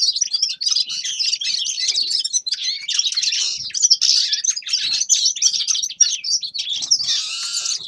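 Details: Long unbroken warbling song of a grey-crowned goldfinch: rapid tinkling and buzzy twitters run on for about eight seconds, ending in a harsher nasal, rattling phrase.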